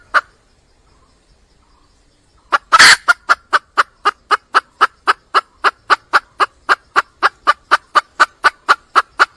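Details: Near-silence for a couple of seconds, then a sharp loud noise, after which a red junglefowl hen seeking a male launches into a long, regular train of quick clucks, around four each second, continuing to the end.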